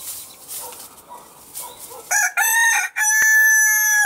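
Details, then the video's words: Marans-breed rooster gives a loud crow after a quiet stretch of soft background bird chatter; a short rough first note, a brief break, then a long sustained harmonic tone to the end. "CANTO DEL GALLO (raza Marans)"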